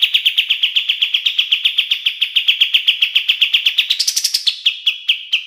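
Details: Kapas tembak bulbul master song for training songbirds: a fast, steady chain of bright clipped notes, broken near the end by a short higher, rising flourish before the trill resumes more slowly.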